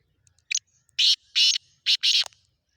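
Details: Black francolin calling: a loud, close, harsh phrase of two brief scratchy notes, then three longer raspy, grating bursts over about two seconds, against a quiet background.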